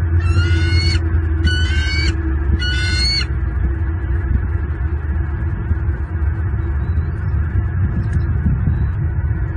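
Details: Wild bald eagle pair tending two eaglets at a Southwest Florida nest, January 27, 2023, during a feeding. Three high, quavering squeals about half a second apart open the recording, followed by steady low-pitched wind-like rumble.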